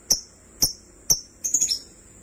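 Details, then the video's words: Sky blue opaline and green opaline lovebirds: three sharp, high chirps spaced about half a second apart, followed by a short, quick warbling chatter in a quiet setting. "Lovebirds chirping sounds"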